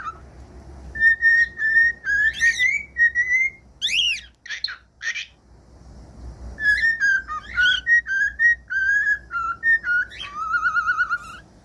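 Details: Whistling cockatiel used to stimulate other cockatiels to sing: strings of short whistled notes with buzzy squawks in between, a break of harsh calls, then more whistled phrases ending in a wavering tone.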